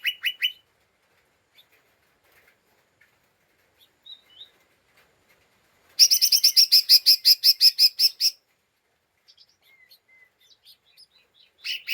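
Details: Lesser green leafbird, kept as a caged songbird, giving agitated chattering calls used to provoke other birds: a brief harsh note, then a fast run of about fifteen buzzy, even chatter notes lasting two seconds, then scattered faint chips.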